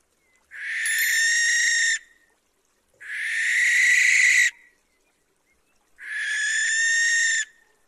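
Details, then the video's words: Nighttime barn owl calling: three evenly spaced, long, raspy screeches, each about one and a half seconds, repeated every three seconds against silence. "লক্ষী পেঁচার ডাক | Lokkhi Pechar Dak | Barn Owl Call at Night | Barn Owl Screech Sound"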